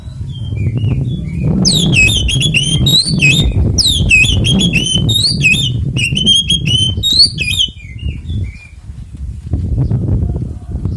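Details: Oriental magpie-robin (kacer) singing a fighting song used to provoke other magpie-robins into singing: a rapid burst of sharp, repeated whistled and buzzy notes, falling quiet after about seven seconds, over steady low rumbling noise.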